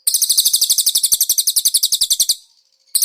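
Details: Konin master song with cililin fillers for cage-bird training: one fast, high trill of evenly repeated sharp notes lasting over two seconds, fading, then a new burst begins.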